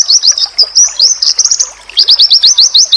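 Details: Oriental white-eye masteran song that provokes rival white-eyes to answer. Quick high whistled notes slur together, then a steady series of about ten clipped, upward-flicking chirps follows.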